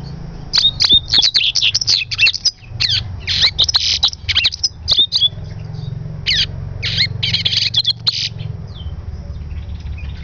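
Double-collared Seedeater giving rapid bursts of high, sharp chirps and buzzy notes in quick clusters, over a low steady rumble of background noise.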